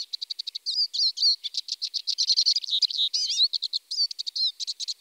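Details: Eurasian siskin singing: a fast, continuous twittering of rapid high chirps and trills, broken by short rising and falling whistled notes and slurred phrases, steady and busy throughout.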